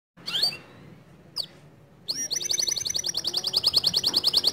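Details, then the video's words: White male canary singing a standard long song: a few scattered high chirps, then, after a short pause, a rapid, even, high-pitched rattling trill of repeated notes that swells louder and runs for over two seconds. "Kenari Jantan Putih Kicau standart panjang"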